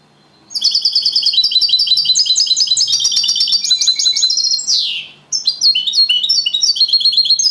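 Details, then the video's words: Champion European goldfinch singing the copia Malaga style, a fast continuous stream of bright, high twittering notes and trills with one brief sweeping buzzy note and a short pause before the chatter resumes. "Jilguero cantando Limpio 🥈 (campeón el segundo) Copia malaga / goldfinch champion of singing 🏆"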